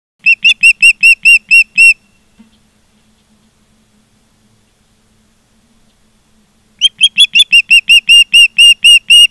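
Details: Two bursts of rapid high whistled chirps from an osprey at a Charlo, Montana nest on 16 September 2023, each burst about ten notes long, separated by roughly five seconds of near silence.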